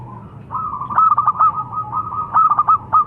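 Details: A local-strain zebra dove delivers one continuous bubbling phrase of soft coos, broken into many fast stuttered notes, mellow and steady in pitch.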